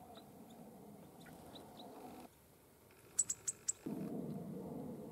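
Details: Hawfinch in the Sierra de las Cabras Nature Reserve, Castilla-La Mancha, Spain, gives four sharp, high, explosive ticks in quick succession, with a few fainter chirps before them over a low rumbling background.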